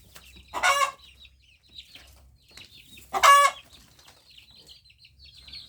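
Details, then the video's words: Crowing hen gives two loud, coarse, scratchy calls about two and a half seconds apart, while thin high chirps of small birds flicker in the background. "Suara ayam betina berkokok"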